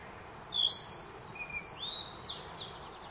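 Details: Narcissus flycatcher singing in spring forest at Myojin, Kamikochi, Japan, June 2021: light, high whistled phrases of swooping and flat notes, with a Black Bunting also singing nearby as though the two answer each other.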